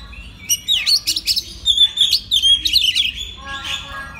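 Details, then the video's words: Oriental magpie-robin master song, meant to make other magpie-robins sing eagerly morning, noon and night: a fast, loud string of sharp whistles and chirps about three per second, varied and slurred, easing to softer notes at the close. "pagi siang malam kacer lain ikut gacor. isian master kacer. suara kacer"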